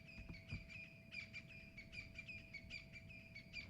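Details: On a July 14 morning at the Juma water hole in the African bush, amid calling guineafowl, a francolin makes a racket of loud, rapid, harsh repeated notes while a second bird answers; francolin.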